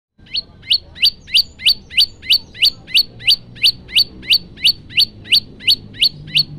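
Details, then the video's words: Male prenjak lumut (prinia) in relaxed 'tembakan' song style, recorded on a Samsung phone: sharp rising chirps repeated about three times a second in a steady, even series over a quiet background. "Tembakan santuy prenjak lumut jantan"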